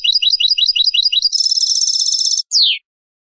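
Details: European goldfinch song meant to teach young birds: a series of high paired chirps, then a rapid buzzy trill, finished by a sharp downward slurred note, recorded with a quiet, clean background.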